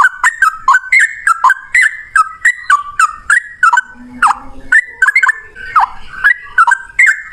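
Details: Yellow-vented bulbul, male, in a long fighting-style song (ropel panjang) used as a lure to make other bulbuls sing: loud, bubbly whistled phrases repeated about every half second, with harsh rattles in the middle and a brief low hum.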